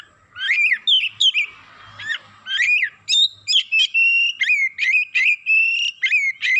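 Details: Oriental magpie-robin, excited within seconds and unloading its 'isian' fill-in repertoire: a rapid string of loud whistled and buzzy phrases, some sliding down, others held steady, in bursts about half a second apart, with faint low rumble beneath.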